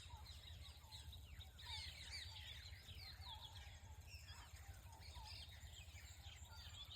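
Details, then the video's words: Birds singing in the morning in a village setting: a busy chorus of short chirps and quick downward-swept whistles overlapping throughout, over a steady low rumbling hum. "Morning View with Birds singing"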